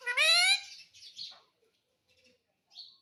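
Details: Talking Indian ringneck parakeet kept as a pet, known to say mummy and papa: one loud, high-pitched, nasal word-like utterance at the start, followed by faint rustling and soft squeaks.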